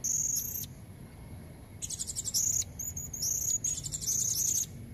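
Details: Lure call of a female blue-crowned hanging parrot aimed at red-necked males: a short squeaky phrase, a pause, then a long run of piercing high notes mixed with grating buzzy bursts.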